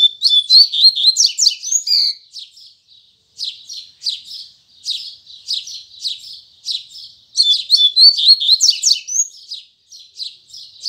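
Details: Morning song of a double-collared seedeater in the Tui Tui Zel Zel style. Two bursts of dense, sharp whistled phrases are each followed by spaced buzzy chips, about two per second.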